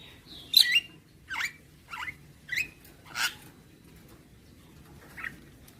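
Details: Javan myna giving a few separate notes: a bright whistled slur, then several short nasal, downslurred calls spaced about half a second apart, fading to one soft note.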